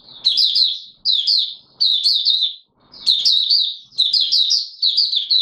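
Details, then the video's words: Mata Puteh Raja white-eye kept caged, singing though not in full condition, recorded 9 May 2022; shrill, fast warbled phrases of tumbling notes come in regular bursts separated by short silences, faint room noise. "Mata Puteh Raja V1 buka sing not full condition yet"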